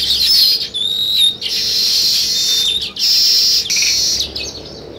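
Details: Sparrows near weaver birds building their nest keep up loud, nearly unbroken buzzy chatter with thin whistled overtones, separated by short pauses into several long bursts.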